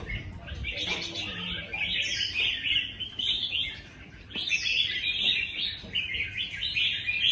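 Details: Red-whiskered bulbuls at a singing contest, several birds singing at once: bright, chattering warbled phrases, fluttering and overlapping in bursts separated by short lulls, with faint low murmurs beneath.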